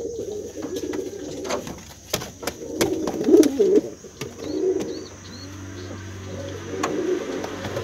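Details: A brown male pigeon cooing vigorously to call its female, recorded indoors; soft low throaty coos rise and fall mid-clip among clicks and knocks, with thin high chirps from another bird and a steady background hum.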